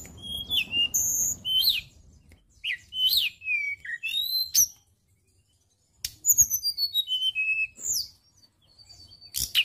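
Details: Tledekan gunung (white-browed shortwing) lure song used for training songbirds: rapid series of high whistled notes sliding up and down, varied phrases with a brief pause midway, then a fast descending run of bright notes.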